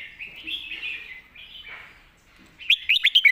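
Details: Red-whiskered bulbul singing a master training song: a warbling run of varied high whistled notes that rise and fall, a short pause, then a louder burst of sharp, bright, quickly repeated notes at the close.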